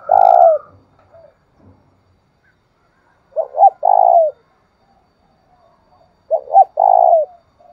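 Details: Spotted dove giving a call used to stimulate another dove: three low cooing phrases, each two short quick notes then a longer sustained coo that drops at its end, repeated roughly every three seconds, with faint soft sounds between them.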